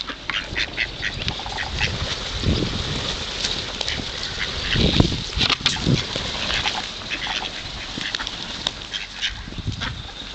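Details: Ducks being fed at the Kirchsee in Preetz, Germany, quack hungrily in a busy chorus of short nasal calls, with splashing and low rumbling noise underneath.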